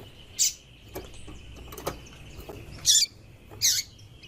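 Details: Female white-throated seedeater calling to stimulate a male: short, sharp, very high chips, four clear notes spaced irregularly over about four seconds, with faint clicks and low background hum between them.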